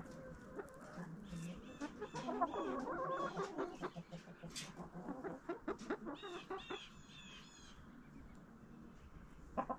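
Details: Backyard flock pecking at a pumpkin treat in fall, with busy overlapping clucks and murmurs, short repeated high chirps, and rapid pecking clicks throughout.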